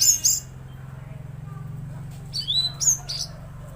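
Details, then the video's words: Tledekan Laut in vigorous song: a sharp high chirp burst, a quiet gap filled by low humming, then several quick twittering whistles sliding downward near the end. "Masteran Burung Tledekan Laut Gacor"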